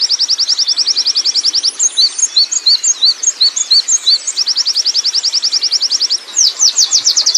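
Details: Wild Oriental white-eye giving 'ngerol' rolling song: long, very fast, high-pitched trills of thin tweets, broken midway by a slower run of spaced, slurred chirps, then the rolling trill resumes.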